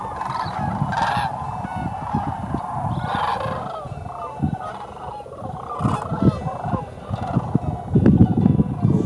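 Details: A flock of Sandhill Cranes at Goose Pond Fish & Wildlife Area, a restored wetland in Greene County where cranes winter, gives overlapping rolling, trumpeting calls in a steady chorus over a low rumble of wind.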